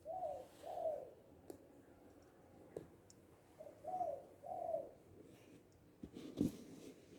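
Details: Spotted dove (tekukur, balam, anduhur bolon), said to be happy and loud: two pairs of soft, low, falling coos, then a few thumps.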